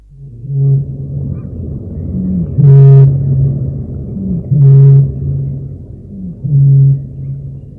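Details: Eurasian bittern, marsh bird, booming: deep, hollow, foghorn-like notes, four in about eight seconds, roughly two seconds apart, over a low steady rumble.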